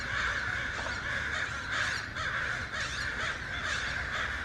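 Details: A noisy gathering of crows and other birds, harsh caws piling on top of one another in a thick chorus that swells and dips every second or so, over low background rumble.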